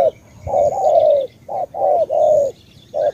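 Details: Vietnamese spotted dove of Cà Mau giving deep mellow coos: a brief note, then long drawn hoots run together, about one phrase per second, with soft twittering in the distance.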